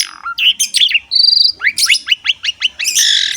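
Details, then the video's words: Asian pied starling, called jalak suren, in lively gacor masteran song: buzzy scratchy notes, a steady high whistle, then a run of about seven rapid upward-sweeping chirps ending in a harsh rasping burst. "MASTERAN BURUNG JALAK SUREN SUPER GACOR PALING DICARI"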